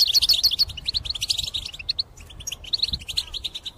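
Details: European goldfinch in strong song used for trapping: quick high tinkling chirps and twitters, about three a second, lively at first, thinning briefly, then picking up again.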